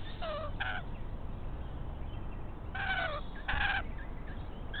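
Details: Rainbow lorikeets, a chatty pair raiding an empty pied currawong nest, give paired grating screeches, first a quick double burst and then two longer, louder rasping cries close together, over background rumble.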